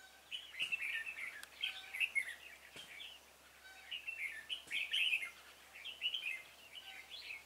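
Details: During bird trapping on 26 February 2018, a decoy red-whiskered bulbul sings to draw in a stubborn wild bird: clusters of lively chirped and whistled notes, repeated in groups with short pauses, plus occasional sharp knocks.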